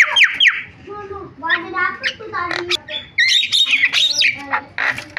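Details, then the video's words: Javan myna in full song with mimicked fill-ins: scratchy slurred notes, soft stuttering trills and a loud burst of rising and falling squawks. "BURUNG JALAK KEBO SUARA VARIASI"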